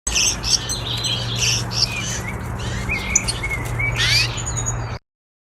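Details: Gouldian finches, a breeding pair, give a busy stream of thin, high chirps and short buzzy notes over a steady low hum.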